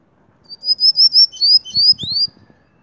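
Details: Cinnamon-rumped seedeater, called dominico, singing in Mérida, Yucatán: a bright high phrase of about ten clear whistled notes, steady then dropping and rising in a final slur, with soft low thumps beneath.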